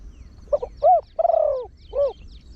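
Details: Deep-voiced trained Spotted Dove used as a decoy for wild birds. One fast-style phrase: a soft double note, an arched hoot, a long sliding coo, then a final rounded coo.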